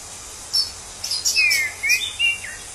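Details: Free-living orange-headed thrush giving a brief run of thin high notes, then a few clear descending whistles in quick succession, against a hissing natural backdrop.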